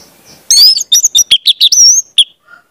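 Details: Orange-headed thrush in full song for training young birds: a loud, rapid tumble of high whistled and chattering notes lasting under two seconds, ending with one short chirp.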